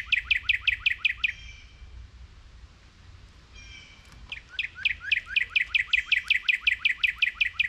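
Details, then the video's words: Cardinals chirping near a bird feeder, hoping for fallen seeds while a squirrel eats. Two bursts of very fast, sharp repeated notes, about six per second, are separated by a quieter pause of faint whistles. "Squirrel Eating Seeds Distracted by Cardinal Bird Sounds"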